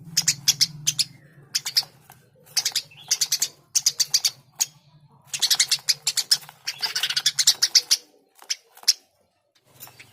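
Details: Eurasian tree sparrow chirping in repeated bursts of sharp notes for about nine seconds, some runs dense and rapid, with a low hum at the start that fades.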